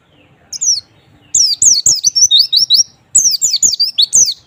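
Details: White-eye song used to lure a reluctant bird into singing: high, sweet chirped notes sliding downward, given in quick runs of about eight notes with short pauses, faint background hum.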